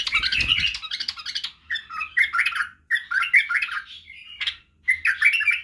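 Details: White-eared bulbul song for teaching young bulbuls to sing: a run of bright, warbled phrases with quick chirpy notes, short pauses between bursts, and a brief low thump near the start.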